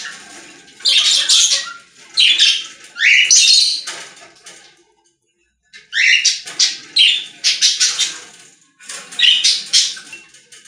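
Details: Budgerigars singing in a pet store: separate bursts of scratchy chatter and rising squeaks, a near-silent gap of about a second around the middle, then more clustered chirping phrases.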